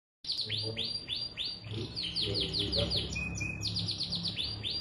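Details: Canary in long continuous song, said to get other canaries singing. Rapid series of downward-sweeping chirps repeated several per second and shifting into faster rolls, over a steady low hum.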